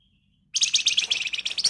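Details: Flamboyan bird giving agitated nyerecet song, a dense ngebren rapat rattle meant to get other birds singing; a fast run of sharp, high, scratchy notes pulsing roughly ten times a second after a brief silence.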